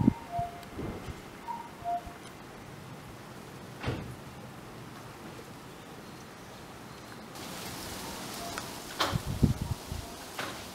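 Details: A distant common cuckoo on a June morning in a garden gives two soft, falling two-note 'cu-coo' calls in the first two seconds, then rustling, knocks and rising outdoor noise of wind and water.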